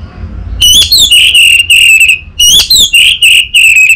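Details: Orange-headed thrush, untrained, used as a lure and tutor bird, delivers two loud runs of ringing whistled notes, each opening with a slurred flourish and continuing as steady, evenly pitched pulses.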